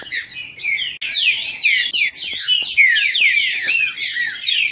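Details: Green-winged saltators kept by an amateur breeder, recorded live as a 'baderna' to excite another bird. After a brief gap near the first second, overlapping whistled phrases and sharp slurs fill the rest.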